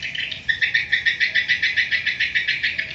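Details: Swiftlet at a swiftlet house giving a fast, evenly pulsed series of high chirps, about five per second, sustained for over two seconds after a short softer lead-in, with faint background chatter.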